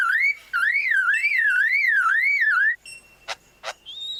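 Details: Lyrebird, native to Australia and known for mimicking mechanical sounds like chainsaws, mimics a siren-like warbling whistle rising and falling about twice a second, then two sharp mechanical clicks and a steady high tone.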